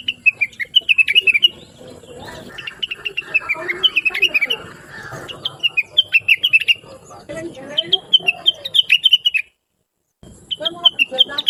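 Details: Blue-winged leafbird in a chattering, melodious training recording for bulbuls and other birds: runs of bright descending chirps repeated rapidly in bursts, over a murmur of low background noise, with a short silent gap near the end.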